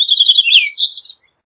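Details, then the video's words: Purple Finch song fragment: fast chattering warble that slides down, then a higher, brighter run of quick notes, fading out after about one second. "Purple Finch Song! Purple Finch Call! Purple Finch! -Camachuelo Purpúreo Canto- Haemorhous Purpureus"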